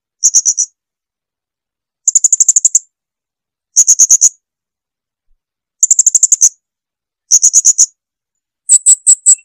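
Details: Blue-crowned hanging parrot song, clean and clear: bursts of very high, thin, rapid ticking notes, four to nine per burst, separated by silences of one to two seconds.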